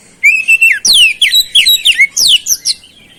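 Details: Chatty oriental magpie-robin in beset song with flowerpecker-type fill: a rapid, loud run of slurred, piercing whistles and sharp downward sweeps, about ten notes packed into three seconds.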